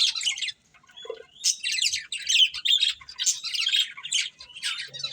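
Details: Breeding pair of budgerigars warbling in rapid buzzy chirps, a short pause near the start, then an unbroken stream of chatter.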